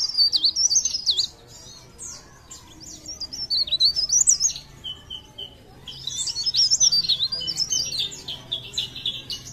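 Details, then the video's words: Leaf warbler (cikrak daun) from Pare Pare singing in a lively, chattering style: rapid high twittering phrases of thin, jumbled notes in bursts, a short pause with soft tones, then another long excited burst. "CIKRAK DAUN | PARE PARE | BLERENG GACOR❗"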